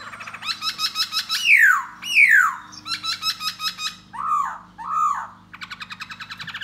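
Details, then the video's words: Laughingthrush ('da bò' type) performing song and dance to lure a female. Fast stuttering trills alternate with loud down-slurred whistles, then two mellow hooked notes and a closing rapid rattle. A faint low hum runs throughout. "Khướu Da Bò Hót Múa Dzụ Mái"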